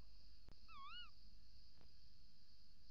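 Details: Single undulating, shrill call from a female tawny owl at the nest entrance, recorded by nest camera at 05:43 on 28 December 2018, with a couple of soft knocks and low hum.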